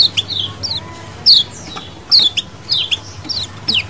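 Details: Wild-style colony calling of lemon-bellied white-eyes, used to lure birds: thin, piercing descending chirps repeat roughly once a second in uneven pairs and triplets over a quiet humming background.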